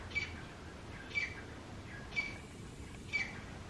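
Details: Two wild grey francolins, male and female, calling loudly in their territory: distant, sharp, high notes repeated about once a second, four in all, over a broad, steady background hiss.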